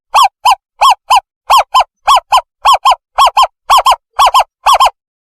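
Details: Owl call played as a lure for trapping owls: clear arched notes given in close pairs, about ten pairs over five seconds, evenly paced, against silence.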